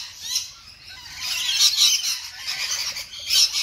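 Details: Several rainbow lorikeets feeding on a fresh apple, giving harsh, grating screeches and squawks, bursts overlapping between quieter chatter and peaking near the middle and end.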